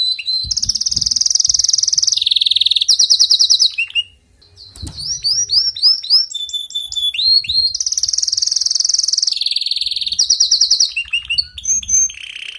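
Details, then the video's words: Caged canary song played to coax a weak canary into singing, with long rolling trills alternating between higher and lower pitch, a brief pause, sweeping whistled notes, then the rolls return. "إذا لديك كناري ضعيف في تغريد سمعه هذا الغناء وشاهد الكناري ماذا يفعل"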